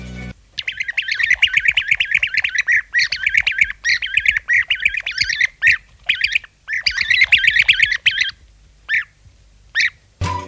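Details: European Bee-eaters (Merops apiaster) give liquid, rolling 'prruip' calls in quick overlapping runs, then a few spaced single calls near the end.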